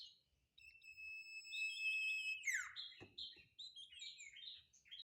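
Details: Sirtu song close up: a long, steady, high whistled tone, a sudden sweeping downward slur, then a rapid string of varied bright chirps and warbles.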